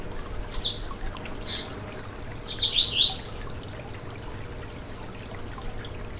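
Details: Yellow-bellied seedeater song for warming up a kept bird: two separate short high notes, then a quick rising series of slurred whistles that ends very high, against a faint steady watery hiss.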